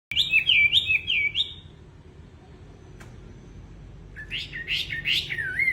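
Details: Wambi bird in full, lively song: a burst of bright, warbling whistled notes that wave up and down, a pause of about two seconds with low background rumble, then a second run of rising and falling slurred whistles.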